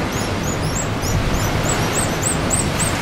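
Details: A nesting pigeon guillemot pair at Sea Lion Caves, Oregon, give thin, very high, slurred whistles, several a second and overlapping, above a steady low rumble of wind and surf.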